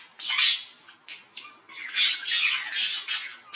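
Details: Budgerigars mating indoors: short high scratchy squawks and chirps in quick bursts, about six notes over three and a half seconds, with brief gaps.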